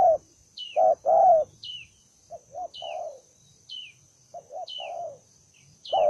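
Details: Single wild-caught spotted dove, said to be aggressive and eager to fight, uttering low coos, some loud double notes and some softer split phrases, with light falling chirps from another bird between them.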